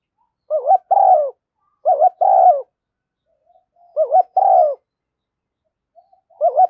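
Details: Spotted dove decoy recording, a female used to lure wild doves, with thúc gù and gáy gọi call styles: low, mellow two-part coos, a short wavering note then a longer rolling one, repeated in phrases separated by quiet pauses.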